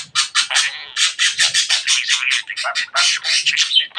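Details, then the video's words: Talkative pet budgie producing a continuous, dense stream of buzzy, harsh chatter syllables in quick succession, with scratchy, voice-like phrasing throughout. "Muhabbet Kuşu Çimen Çok Konuşuyor.~Budgie Grass Talks a Lot"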